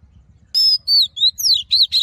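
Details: Brief wild-style Oriental magpie-robin song burst used in song training: several loud, clear high whistles, some falling and some arched, in quick succession.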